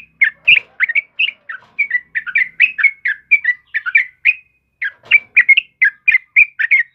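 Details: Gacor song of a yellow-vented bulbul, played to train and stir caged birds: a steady stream of short, liquid chirps in quick pairs and triplets with one brief pause midway. Background is clean.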